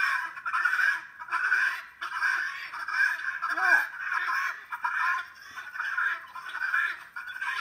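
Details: Helmeted guineafowl calling in a harsh, grating series of rhythmic bursts, about one to two per second, overlapping and steady throughout.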